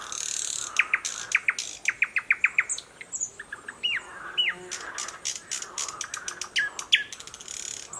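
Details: In Mogilev district, Belarus, on 11 May 2021 a newly arrived thrush nightingale in streamside thickets sings a fast series of ringing chock notes, then whistles and clicks, with frogs from a nearby pond audible.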